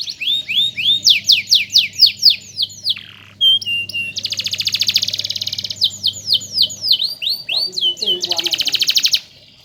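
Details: Canary song meant as a master recording for teaching song. Rapid descending whistled slurs give way to a dense buzzing trill, more swept notes, and another fast trill; a faint low hum runs underneath.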